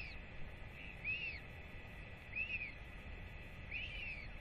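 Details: Hungry royal albatross chick greeting a returning parent at feeding time, 8.10.24; three bright arching whistles, each swelling up then dropping, spaced a little over a second apart against constant background hiss.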